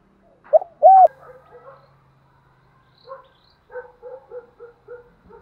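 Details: Spotted dove fighting-challenge and calling coos, used to train a newly caught bird. Two loud, hollow, arched coos open, then after a pause a soft run of five or six short even coos follows.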